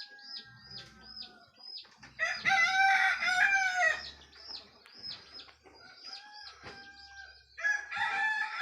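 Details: Domestic rooster crowing in the early morning as day begins: high chirping birds, then a loud, full, two-second crow, more chirps, and the start of another crow at the close; faint low background hum.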